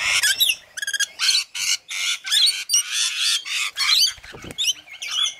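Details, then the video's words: Rainbow lorikeets feeding, repeated grating screeches in pulses of roughly half a second, some with stuttering notes, plus a low thump near the end. "Rainbow Lorikeets feeding"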